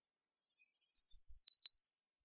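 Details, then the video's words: A black-throated green warbler sings a wheezy high song: a wavering buzzy note, a dip lower, then a rising final buzz. Faint higher overtones, no other sounds. "Black-throated Green Warbler Song! Call! Voice! Singing - Reinita Dorsivede Canto!"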